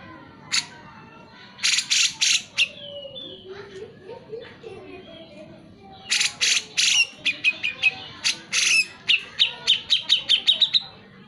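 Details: Grey-cheeked Bulbul in full, lively voice as a prompt for lazy birds to sing: scattered harsh bursts at first, then a quickening run of short sharp chattering notes near the end.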